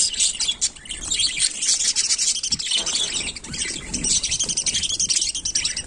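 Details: Continuous dense, rasping warble of Melopsittacus undulatus budgerigars during everyday activity, a thick wall of overlapping high chirps and scratchy notes with hardly a pause.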